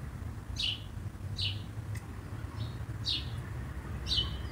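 A common blackbird scolds with sharp, high chinking notes, about five in a row at under a second apart, over a low steady rumble.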